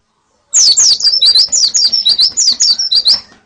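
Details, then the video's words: White-eye (pleci) females and colony calling, played to train a male's singing; a three-second run of about a dozen loud, high, slurred chips in quick steady succession. "Suara Pleci Betina dan Koloni Untuk Terapi Kicau Pleci Jantan"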